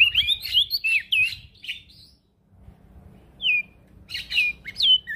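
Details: Actively singing male prinia, used to tutor other birds: bursts of quick, twisting high whistled phrases, a near-silent pause in the middle, then further short sharp whistled notes over faint low background noise.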